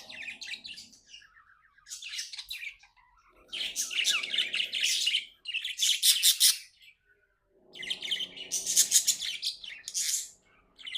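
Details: Happy pet budgerigar pours out loud bursts of buzzy, rapid chirping chatter separated by short pauses, with a faint low rumble beneath some phrases.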